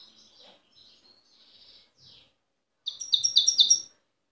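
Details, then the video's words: Wild European goldfinch from Tiaret, recorded in 2015: a few soft high twittering notes, then a loud, fast buzzy trill of bright chirps lasting under a second. "تغريد بري لحسون تيارت"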